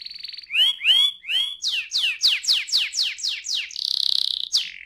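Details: Canary song meant to prompt other canaries into singing, with a steady whistle, a few swooping notes, then a string of quick descending chirps and a closing buzzy trill.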